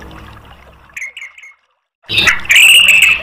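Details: Orange-headed thrush, recorded as a lure for other caged birds: a few soft whistled notes, a brief silence, then a loud sustained whistled phrase with harsh onset.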